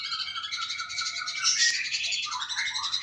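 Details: Sooty-headed bulbul, recorded as tutoring material for other cage birds, giving a continuous high, rasping, chattering warble with slurred notes throughout.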